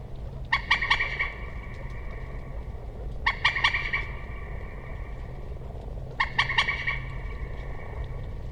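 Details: Common moorhen repeating a harsh, stuttering call three times, each a quick run of three or four clipped, nasal notes, spaced about three seconds apart, against a low continuous hum.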